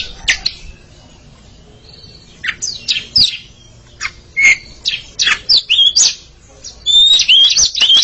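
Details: A pair of Oriental magpie-robins exchanging song: sparse sharp chips and short harsh notes build to a rapid, dense burst of thin whistles and ticks near the end.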